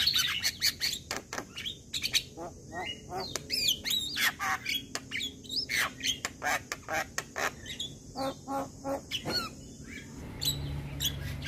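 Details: A Javan myna sings in the morning with loud, scratchy squawks and chatter mixed with thin whistled slurs, repeated in rapid irregular bursts for over ten seconds. A low hum is audible near the end.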